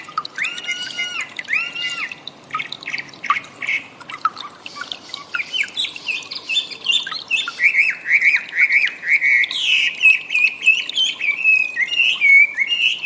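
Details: Chinese Hwamei (wambi) singing for cage-bird training audio: a few clear whistled notes, scattered chirps, then a long rapid warble of wavering whistles that builds toward the end.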